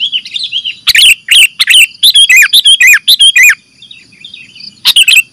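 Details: Sooty-headed bulbul (kutilang) calls played as a lure for catching birds: bright chirping notes in quick bursts, a dense run of rising and falling chirps midway, a pause, then a final short burst.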